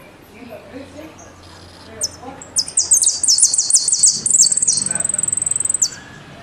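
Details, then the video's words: Argentine goldfinch in the 'golpe y pitadas' style: after a soft, low-level start, a dense run of very high descending notes gives way to a fast, even, buzzy trill held for about two seconds. "JILGUERO AUDIO "EL MERYL" ( golpe y pitadas)"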